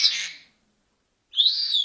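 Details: A talking Senegal parrot ends a harsh, raspy sound, falls silent for most of a second, then starts a bright, sliding whistle.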